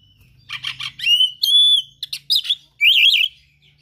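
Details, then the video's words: Oriental magpie-robin in full gacor song with rare mimicked phrases: quick rasping notes, then a long pure whistle, sharp chips, and a rapid warbling flourish at the end. "KACER GACOR SPECIAL FULL ISIAN MATERI LANGKA"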